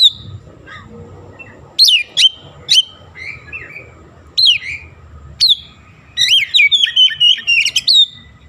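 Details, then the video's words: Gacor oriental magpie-robin (kacer) mixing in jalak kebo sounds: scattered single sharp downslurred whistles, then a rapid run of chattering whistled notes toward the end, over a faint low background hum. "KACER GACOR BESET SUARA JALAK KEBO"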